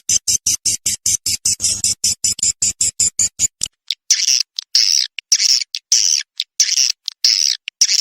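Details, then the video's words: Swiftlet lure call in the SP. KADITA style, played to pull swiftlets into nest houses: a fast series of short high chirps, then longer buzzy, drawn-out twitters separated by brief gaps. "suara panggil SP. KADITA"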